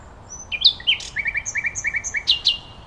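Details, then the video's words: Common nightingale singing: a few sharp whistled introductory notes, then a quick, rattling series of repeated chirps, closing with loud high slurred notes. "Beautiful Nightingale Birdsong"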